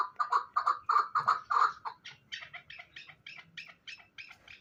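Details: Hybrid fighting chukar partridge: a burst of loud, clucking chuck notes shifts halfway into thinner, higher, quieter repeated notes.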